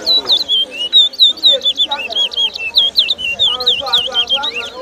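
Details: Towa towa bird competing in a 2022 singing contest at Lusignan, Guyana: loud, sweet whistled song of swooping, slurred notes repeated in quick succession, with faint crowd chatter in the background.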